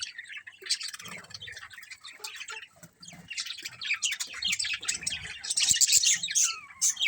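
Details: Budgerigar colony chirping: rapid, irregular ticking chatter building to a dense, loud cluster of scratchy chirps and a short descending whistle near the end.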